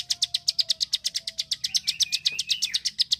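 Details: Bar-winged prinia (prenjak klik) from rice fields, used to train contest birds: quick sharp clicks about four per second over a thin faint whistle, with a brief rising chatter toward the end.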